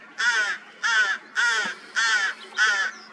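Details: Newly hatched rook chicks on 16 May 2023, after a cold spring, give five harsh, nasal, grating calls, each about a third of a second long, repeated steadily about every half second.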